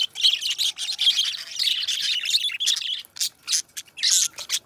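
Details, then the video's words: Budgerigar song from a pair of pet budgies: busy chirping and scratchy chatter in uneven bursts, with a few short gaps near the end. "2 Hours of Budgies Song -birds sounds - Singing and Talking"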